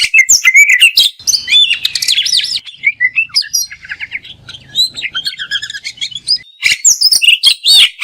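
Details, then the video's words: Kacer song, from an Oriental magpie-robin: dense rapid warbling with looping whistles, chattering bursts and high sharp chips, delivered almost without pause as fill-ins and shots. "Masteran Mewah Burung Kacer Full Isian Dan Tembakan"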